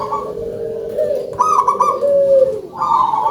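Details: Local zebra dove with a big voice, singing actively: low sustained cooing, then a bright trilled burst, a smooth falling coo, and another rolling phrase.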